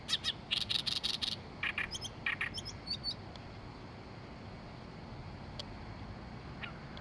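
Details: Oriental reed warbler singing in Oyama, Tochigi, Japan: a loud burst of harsh, grating, rapidly repeated chattering notes over about two seconds, then scattered thinner ticks and a fading, quieter stretch with soft background hiss.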